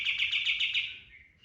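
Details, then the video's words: A kapas tembak cotton bird sings a brief tembakan burst, a lure for training birds: five or six quick, high pulsed notes in a chattering trill, fading into a thin drawn-out tail. "PANCINGAN BURUNG KAPAS TEMBAK GACOR FULL TEMBAKAN TERBAIK 2025"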